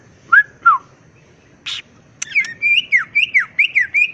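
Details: Greater green leafbird, known locally as cucak ijo, in gacor nembak ngetrok song: two clear slurred whistles, a short buzzy burst, then a rapid run of rising and falling whistled notes.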